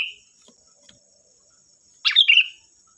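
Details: Sooty-headed bulbul song used as a lure to draw other bulbuls into answering: one short bubbly, slurred phrase late in the clip after a fading note, over a steady thin high whine.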